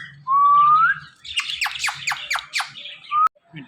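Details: Pet parrot, one of a male and female pair, the male described as teasing the female: a long rising whistle, then five quick downward-swept chirps about a third of a second apart, ending in a short upward whistle.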